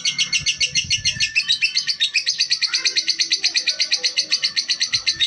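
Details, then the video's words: Female lovebird described as calm, giving a dense, rapid chatter of shrill chirps, about four a second, getting louder and more regular after the first two seconds, with a few soft knocks early on. "Lovebird betina"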